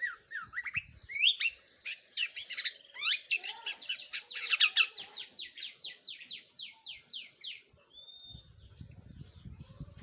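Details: Long-tailed shrike in energetic song: scratchy chatter breaking into a fast run of sharp, descending buzzy notes that slows toward the end, followed by a thin whistle and low rumble.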